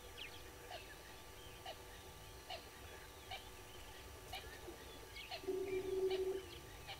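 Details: Red-billed hornbills below the waterhole camera at Gowrie dam, Djuma Game Reserve, Sabi Sand, South Africa, 06:14 on 15 April 2022: a series of short clucking notes, about one to two per second, with faint high chirps and a brief hum.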